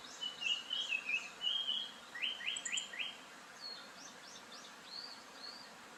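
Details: Japanese paradise flycatcher singing, with a blue-and-white flycatcher also present and not moving: whistled opening notes, then a quick descending series of three or four slurred notes, followed by softer higher phrases over steady forest background hiss.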